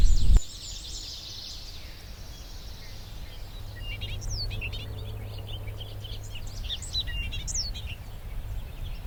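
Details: Bobolink singing in hay fields and meadows of Sax-Zim Bog on a foggy morning, 24 May 2020. Its bubbly, tinkling song has rapid jumbled metallic notes jumping up and down in pitch, over a low rumble and a thump at the start.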